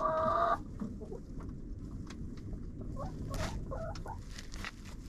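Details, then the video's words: Chickens inside a friend's coop, heard through a GoPro placed there: a harsh, loud squawk in the first half-second, then sparse soft clucks and rustling over constant low background noise. "Hanging out with Chickens in a Coop"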